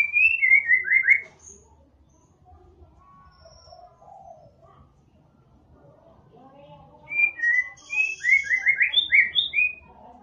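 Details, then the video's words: White-rumped shama song played to stir a less active caged bird into singing: a burst of whistled, slurred notes, a quiet gap with faint low hum, then a longer run of rising and falling whistles. "ampuh untuk pancing murai batu yang kurang gacor"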